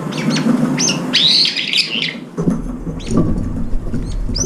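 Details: Brown-eared bulbuls feeding at a window-side feeder, a few birds crowding the food bowl: high squealing notes, including a drawn-out shrill squeal near the middle and scattered hooked chirps, over low background rumble.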